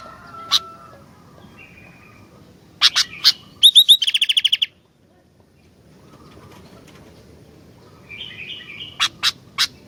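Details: Sooty-headed bulbul singing: scattered sharp chirps, then a fast run of bright repeated notes, followed by a warbled phrase and more sharp chirps over a low background hum.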